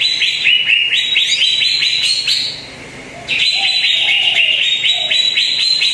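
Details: Song of a greater green leafbird used to lure a quiet bird into singing. A run of rapid rising whistles, a second-long hush, then dense high chattering notes continuing to the end.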